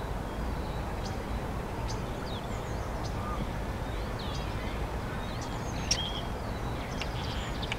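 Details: A common starling sings in Hyde Park, London, UK, in April 2016: a faint, rambling medley of thin whistles, slurred notes and clicks, half buried under a steady low rumble of city traffic.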